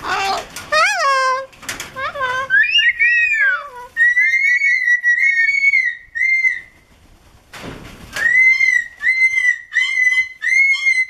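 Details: A Moluccan cockatoo (Cacatua moluccensis) gives harmonic, voice-like mimicked phrases, reportedly saying hello, then a run of clear rising and wavering whistles with steady repeated notes.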